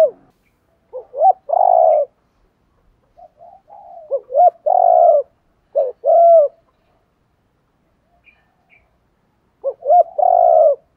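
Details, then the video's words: Spotted dove calls used to lure wild doves, a mix of challenge and calling coos: quick low grace notes leading into a sustained mellow coo, phrases spaced by silent gaps, some soft murmured coos between. "Tiếng chim cu gáy kích bổi mới [ tiếng THÚC, GÁY GỌI, GÙ ĐẤU ]"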